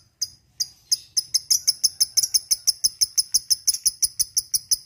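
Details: Fighter lovebird in the ngekek style, a training lure: two or three separate bright chips, then a steady fast run of sharp, ringing high notes repeated about three per second, with a faint low hum.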